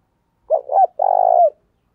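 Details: Single spotted dove phrase used to train newly caught birds: two quick rounded coos then a longer, slightly vibrating coo that drops at its end.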